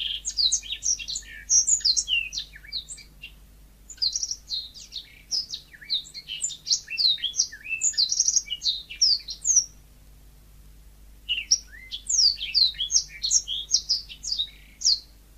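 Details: Yellow-fronted canary (burung mozambik) pouring out long runs of fast, high, twittering whistles and slurred chirps, with a pause midway before the song resumes, faint low hum beneath.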